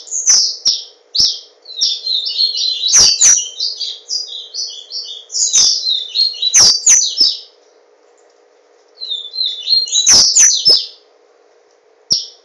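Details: Caged yellow-bellied seedeater (papa-capim) from Garanhuns, Pernambuco, Brazil, kept for singing. It gives fast, high, twittering warbled phrases in long bursts with short pauses, plus sharp clicking taps and a steady low hum.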